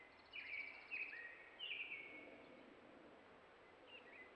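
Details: Distant Tundra Swans, caught on a trail cam at a Ruffed Grouse drumming log in central Alberta, give a few high, nasal, slightly buzzy hoots in quick overlapping bursts, then a softer call near the end, over steady hiss.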